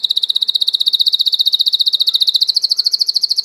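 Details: Domestic Belgian canary singing: a rapid, even, high-pitched trill of about twelve notes per second, held steadily throughout and rising very slightly in pitch toward the end, with a faint low steady hum underneath.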